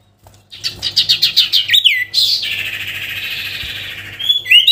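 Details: Sooty-headed bulbul singing to call out a rival: a quick series of sharp descending chirps, then a long buzzy warbled phrase and a final rising whistle.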